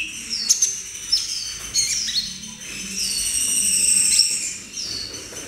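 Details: A young captive Brown-throated Sunbird, taken from a wild flock, practises its song: sharp high chips and thin, downslurred whistles, breaking into a rambling, shrill twitter midway.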